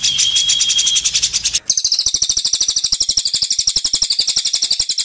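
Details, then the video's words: Cililin song for shama tutoring; a sustained whistle and chatter shift into a quick, dry, high-pitched trill of evenly spaced buzzy notes repeated several times a second. "cililin vs cucak jenggot - masteran murai batu"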